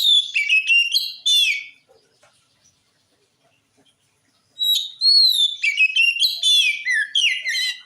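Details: Oriental magpie-robin in full song, used to make other magpie-robins answer: bursts of rich whistled and slurred phrases, high and varied, with a silent gap of nearly three seconds between the opening phrases and a longer closing run.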